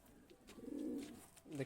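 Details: A domestic Madrasi pigeon, one of a male-female pair being shown, gives a low, throaty coo that swells and fades, then starts again.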